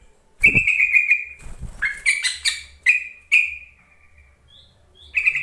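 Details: Yellow-vented bulbul calling to provoke silent bulbuls into song: a series of loud, clear bubbling phrases in quick succession with sharp clicks and knocks between them, ending with a thin high tone and a final burst.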